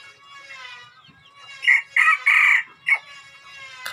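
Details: Two-month-old crossbred decoy red junglefowl giving a short, harsh crow: a faint harmonic lead-in, then three loud strained bursts and a final clipped note, followed by a sharp click.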